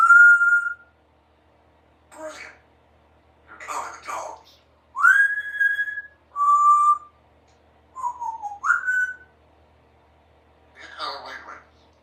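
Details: A pet female Congo African grey parrot, three years old, mixes practised words and sounds: clear whistled notes, some rising or falling, alternating with short, raspy, speech-like bursts across twelve seconds.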